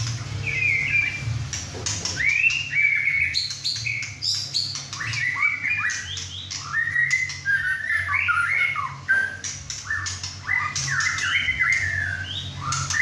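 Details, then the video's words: Young male white-rumped shama, six and a half months old, home-bred and just past his first moult, singing hard at home alongside two other shamas: a rich flow of loud whistled phrases sliding up and down, with a steady low hum. "White rumped Shama – "Imagine" whacking hard (6½ month old)"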